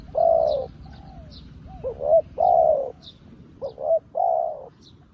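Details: Newly kept spotted dove working as a decoy, calling wild doves like an old decoy bird: low, hoarse cooing phrases, some single drawn-out coos and some quick double notes, spaced through the clip, with faint high chirps above.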